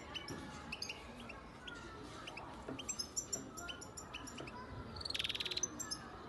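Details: A young European goldfinch from Antalya, Turkey, born in 2019. It gives scattered high tinkling notes, then a rapid buzzy trill of about a dozen pulses, over a noisy low background.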